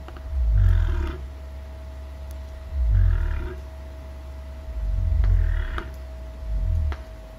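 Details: Australian cassowary, a large flightless bird, giving four deep, very low booming rumbles, each about half a second long and spaced roughly two seconds apart, over a steady faint background hum.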